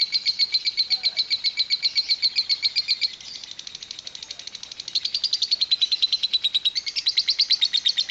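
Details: Lovebird in extended 'ngekek panjang' chattering, 'kereta uap' (steam train) style: strong pulsed high chirps for three seconds, a quieter rattling passage, then a loud, slightly rising chatter resuming.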